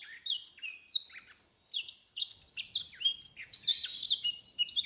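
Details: Singing mule (hybrid) black-throated canary: a fast, high, varied twittering song of sweet trills and slurred notes.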